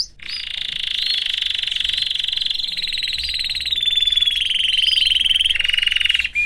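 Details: Male canary in a family cage pours out one long buzzy trill lasting over six seconds, its pitch shifting slightly and briefly breaking near the end.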